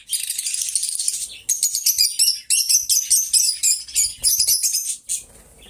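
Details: Two pet lovebirds singing and talking together: dense runs of high, sharp chirps and twittering in quick bursts, with short pauses between phrases and a brief quiet tail near the end.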